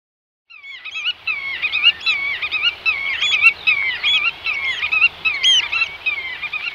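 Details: Eurasian oystercatchers, territorial shorebirds, in the Netherlands give shrill, piercing whistled notes overlapping in a continuous excited chorus, rising and falling in loudness with faint background noise.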